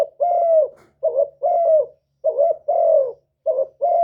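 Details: Spotted dove decoy call in '1 hậu' style for luring wild doves: three low cooing phrases, each a quick note then a sustained, slightly descending coo, close and clear with a faint low hum beneath.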